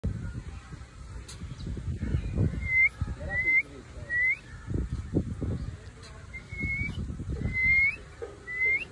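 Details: A cockatoo that lives with an eagle whistles like the eagle: short, clear whistles that slide upward, repeated about every second, over low rumbling background noise.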